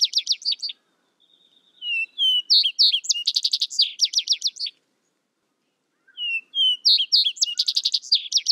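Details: A Vesper sparrow sings two songs: end-trills of one, then whistled introductory notes leading into rapid high trilled phrases, and after a gap the next song begins the same way.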